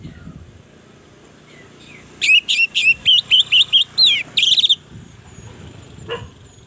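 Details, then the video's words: Master song of an orange-headed thrush for training other birds: a quick run of about ten sharp whistled notes, twisting up and down, over a steady low background hum, then a single brief note. "Suara burung Anis merah gacor masteran Anis pancingan suara burung Anis merah"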